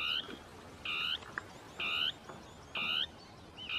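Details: Northern tapaculo in shrubs giving a territorial song, two birds interacting. Four buzzy, croaky notes, each about a third of a second long, spaced under a second apart, with a faint click between.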